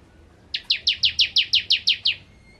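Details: A single tight series of ten sharp, high, slurred chips from a bar-winged prinia (ciblek kristal) in gacor nembak ngentrok singing, evenly spaced and steady in loudness, with quiet before and after.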